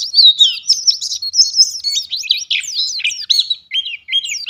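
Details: Pleci ngalas (white-eye) singing gacor style, lively and nonstop: a dense, rapid chatter of sharp, high twittering notes with quick rising and falling slurs, packed tightly with almost no pauses, on a clean background.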